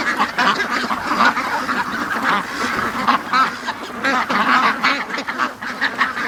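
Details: Flock of domestic ducks in a pen, quacking non-stop for an hour and 40 minutes late in the morning while waiting to be let out; dense, overlapping nasal quacks burst out continuously and unevenly, with no pauses across the stretch.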